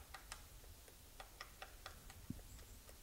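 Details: A female White-backed Woodpecker (first misidentified as Japanese pygmy woodpecker) pecks a beech tree while foraging, not drumming, on 28 January 2005 in a Chichibu forest, Japan. About a dozen dry, uneven ticks sound in three seconds over a low rumble with one thud.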